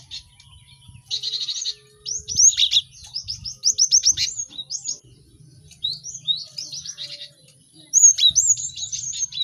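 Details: Several cinereous tits in a crowded training recording for caged songbirds: a buzzy burst, then rapid strings of sharp rising chirps repeated in bursts, a quieter middle stretch, and another loud chirping run near the end.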